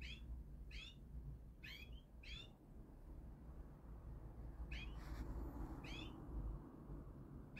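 European goldfinch giving short, bright, liquid chirps, spaced about every second with brief pauses, over a steady low rumble.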